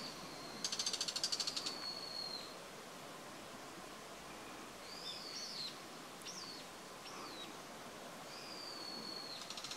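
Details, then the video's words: Startled bird on branch tips, still angry and fighting back with call notes: thin high whistled notes, some drawn out and some short and bending, with a quick rattling burst near the start, against a steady background hiss. "Call note of anger / 怒りの地鳴き"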